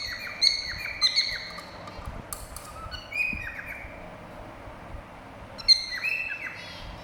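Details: Cockatiels whistling: bright, short chirped whistles with quick downward slurs, arriving in small bursts near the start, around three seconds and again near six seconds, over a low steady background hum.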